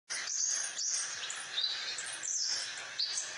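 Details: Crimson sunbird singing actively, kept as a master bird for tutoring songbirds: a dense, unbroken run of high, thin twittering and squeaky trills with quick pitch slides, carrying on without pause.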